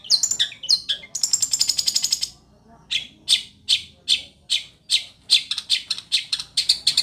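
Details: Fierce-style long-tailed shrike singing: quick high chirps and a harsh buzzy burst, then a pause before a string of sharp, evenly spaced high notes at more than two per second.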